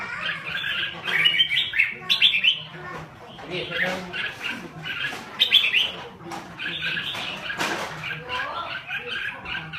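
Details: Red-whiskered bulbul from Laos delivering fast, rolling song: short bursts of whistled, chattering phrases repeat roughly every one to two seconds, with softer twittering in the gaps and a faint low background hum.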